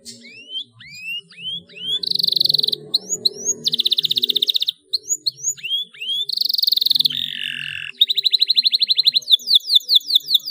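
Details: Domestic canary singing loudly and persistently, used as a lure song to spur young, untrained canaries; rising whistled notes alternate with bright buzzy trills and rapid metallic rattles, over a low murmuring background in the first half.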